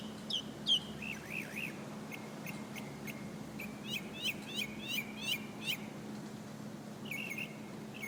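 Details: A nightingale in Alexandria sings loud, varied phrases: a wavering whistle, then a series of sharp downslurred notes repeated about twice a second, closing with a rising trill, over a faint constant low hum.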